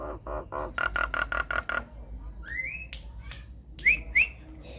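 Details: Lure song of a Nias hill myna, unedited, meant to make quiet mynas respond: a quick series of harsh, buzzy pulsed notes, then clear upslurred whistles and sharp clicks.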